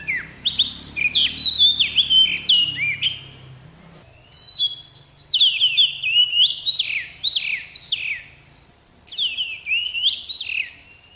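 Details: Melodious song of an oriental magpie-robin (kacer): bursts of varied whistled and chirping notes, each phrase a few seconds long and broken by short silences, over a faint low hum in the first seconds.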